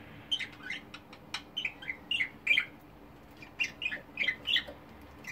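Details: Pet budgerigars of mixed colours chatter in clustered buzzy chirps and squawks, a pause midway, then another busy burst; quiet hum throughout.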